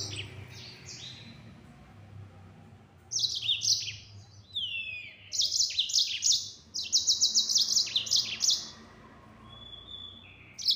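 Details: Yellow-fronted canary, locally burung mozambik, in fast 'gacor nembak' song: quiet opening notes, then loud bursts of rapid, buzzy high trills and sliding whistles, with dense staccato runs near the end.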